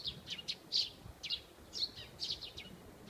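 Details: Eurasian tree sparrow singing in a maple tree at an elementary school, giving short, bright chirps about twice a second in an uneven, chattering run, with faint low background hum.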